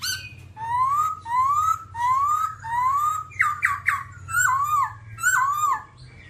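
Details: Babbler song: a run of clear, rising whistled notes roughly every half second, then louder, more complex bent and stacked notes near the end; a steady low hum sits underneath throughout.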